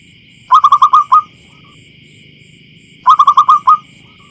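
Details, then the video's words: Zebra dove, a local wild bird in a field, giving a lure call: two identical rapid phrases of about six short, bright, stuttering coo notes each, roughly two and a half seconds apart, over a steady hum. "Suara Pemikat Burung Perkutut Lokal Alam Liar"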